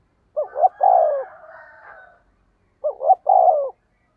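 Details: Spotted dove kept as a decoy, singing in the low 'thổ' voice with 'thúc gù' cooing: two mellow phrases, each a short note then a long swelling coo, the first trailing into a soft murmur.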